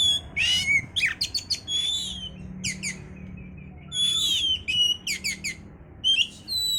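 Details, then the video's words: An oriental magpie-robin sings to stimulate breeding condition. Rapid sequences of harsh scratchy notes, sharp chips and sweet high whistles run almost continuously, with a soft low rumble in the background. "pancingan suara Kacer untuk mendongkrak birahi"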